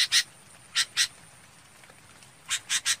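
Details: Flock-gathering call of a red-whiskered bulbul: a few harsh, breathy chirps, single and paired, separated by a short pause, with light background hiss.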